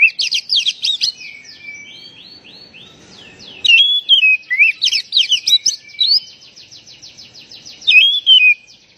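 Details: Call of a white-rumped shama, used to provoke a stressed bird that has stopped singing: rapid, jumbled high chirps and twisting whistles, bursts repeated about three times a second, with a quieter low rustle in the middle.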